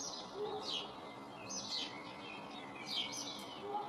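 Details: In a garden in early spring, a pair of Eurasian blue tits checks a nest box on a shed; quick high descending chirps in clusters, backed by a steady background rumble.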